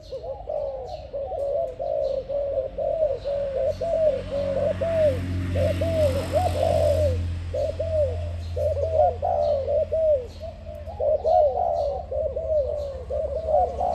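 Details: Spotted dove cooing in a dense, continuous run of low hooted coo phrases with barely a pause between them, over a steady low rumble in the background.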